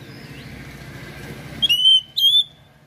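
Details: Oriental magpie-robin (kacer) in full 'gacor' song with rare imitated phrases, used as a tutor recording: after a low background hum, a pure, loud whistled note holds steady for about half a second, then a second whistled note, briefly rising.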